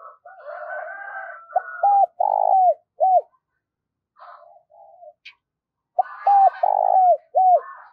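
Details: Quick cooing from a decoy spotted dove meant to excite wild doves: two full phrases of short, flat, throbbing and downward-bending coos, with a softer, buzzy background call between and beneath them.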